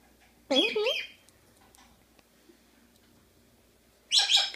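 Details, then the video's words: Pet Quaker (monk) parakeet talking indoors: a short burst of harsh, wavering speech-like syllables near the start, then a quiet pause and a second buzzy, scratchy outburst at the end. "the Quaker talking"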